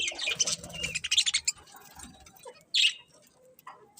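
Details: Several colourful budgies give a dense run of rapid, harsh, high chirps for about a second and a half, then fall mostly quiet before one loud, sharp chirp and a few soft notes.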